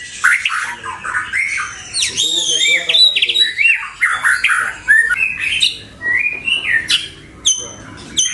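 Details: White-rumped shama, recorded for luring and tutoring kept birds, pours out a rich, fast medley of swooping whistles, chattery notes and squeaky phrases, dense and continuous with short breaks.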